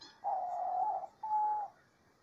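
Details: Clear, soft song of a Diamond dove in nature: a longer hollow coo, a brief gap, then a second purer, steadier note of the same pitch.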